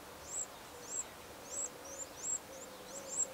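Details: Eurasian wren nestlings at the nest on 15 August 2011 give short, very high, shrill squeaks in pulses about every half second, with faint low tones beneath.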